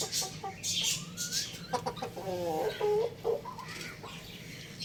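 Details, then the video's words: Little rooster in a home setting making a few short clucks, then a longer wavering, nasal call near the end, over a background of hiss and sharp high-pitched scratchy sounds. "Cute Little Rooster Chirping Sounds"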